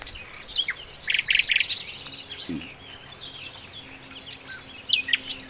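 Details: Lively song of a sikatan londo flycatcher for training songbirds, a dense jumble of high squeaky chirps, short buzzy bursts and thin whistles in quick irregular succession, pausing briefly midway before resuming with sharp high notes.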